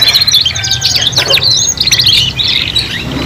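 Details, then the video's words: Young canaries singing together while learning, a quick stream of high chirps and buzzy trills with brief whistled sweeps, steady over a low hum. "KENARI PAUD BELAJAR BUNYI BARENG 3 IN 1 | CANARY SINGING"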